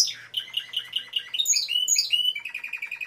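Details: Timbrado canary delivering a quick series of repeated chirps, a cluster of high rising whistles, then a short rapid trill, all crisp and clear.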